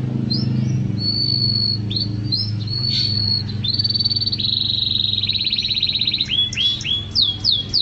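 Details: Canary singing for a songbird training recording: sustained high whistled tones and buzzy rolling trills alternate, ending with rapid downward-swooping notes, all over steady low-pitched background hum.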